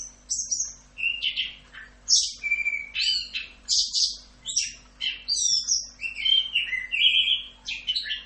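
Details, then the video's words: Orange-headed thrush (anis kembang) giving a full 'Rock'n Roll' masteran song: a long, unbroken run of varied phrases, with sharp whistled notes, buzzy slurs and a few drawn-out level whistles, over a steady low hum. "MASTERAN ANIS KEMBANG FULL Rock'n Roll"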